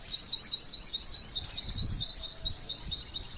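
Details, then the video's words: Female white-eye song used for training other white-eyes: a continuous high, rapid twittering run. One clear downward-slurred whistle rises above it midway, over a light low background murmur. "MASTERAN PLECI TEMBAKAN MANTENAN PANJANGGGGGGG"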